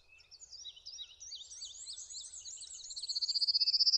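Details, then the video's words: Male Prairie Warbler singing on territory in Connecticut in May while the female gathers nesting material and builds a nest. Thin, high notes climb steadily in pitch, ending in a fast, loudening run of about a dozen notes, over tangled songs of other birds. "Prairie Warbler singing and nest building in Connecticut"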